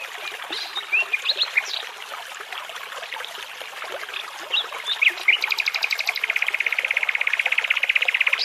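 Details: Nightingale song beside a babbling brook in forest, with trickling water throughout: scattered varied whistled phrases, then a long rapid rattle of identical clicks that speeds into a continuous buzzing trill.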